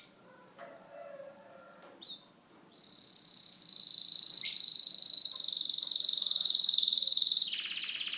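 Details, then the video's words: Syrian serin (Syrian canary) song: a few soft twittered notes, then a long, high, rapid buzzing trill that runs on for several seconds and broadens at the end. "syrian canary sings"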